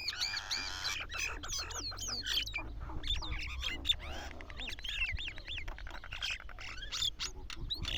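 Several mynas chatter at once: a busy, overlapping mix of bright whistles, harsh squawks and clicking notes, over a low steady rumble.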